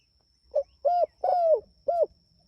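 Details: Spotted dove in vigorous voice calling its companions: one clean four-part coo phrase, short, steady, long and falling, then short again, over a faint steady high whine.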